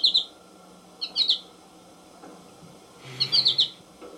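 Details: Twittering song of an American goldfinch: clusters of rapid high chirps delivered in three separate phrases, the last one longer and busier, over a soft background hiss.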